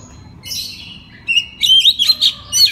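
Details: Oriental magpie-robin in open night song meant to coax other magpie-robins into replying: a soft high rasp, a pause, then a loud string of rapid warbled and twisting whistles.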